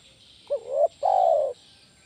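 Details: Spotted dove used as a lure bird to train other doves: one clear two-part coo, a short rising note sliding into a held tone, then a longer smooth falling coo.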